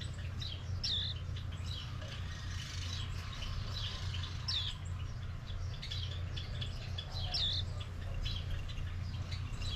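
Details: Japanese white-eye (Mejiro) coming to a yard on Maui during mango season, giving short high sliding chirps spaced a couple of seconds apart, with a constant low droning background noise.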